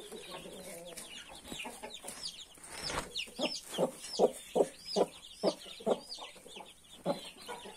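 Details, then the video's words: Hen brooding 31 newborn chicks, giving a run of short, low clucks about twice a second while many chicks cheep in high rising and falling peeps above. "31 newborn cute chickens with mother hen"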